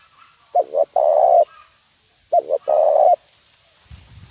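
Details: Lure call of a zebra dove for training birds: two phrases, each a short double coo then a sustained low rolling coo, separated by a gap of about a second, a faint low thump at the end.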